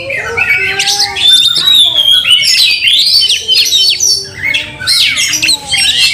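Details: White-rumped shama singing while fighting, angry and spreading its tail: a dense, loud run of whistled phrases, sweeping slurs and rapid chirps high in pitch, with brief pauses near four and a half seconds.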